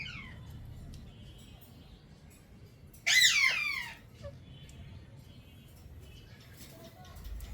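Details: A pet ring-necked parakeet, described as a talking parrot, gives one loud, rich, falling vocalization lasting about a second, set against quiet room background with a few faint chirps.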